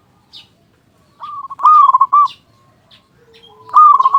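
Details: Local zebra dove singing loudly to prompt other doves to call, giving two bursts of quick, trilled cooing notes separated by short quiet gaps, with faint chirps in the background.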